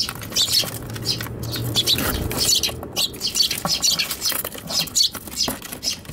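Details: Eurasian tree sparrows fighting inside a box on a balcony on Tanabata 2021, recorded with an RX100M5A camera; sharp high chirps in rapid irregular bursts amid scratching, fluttering and patter.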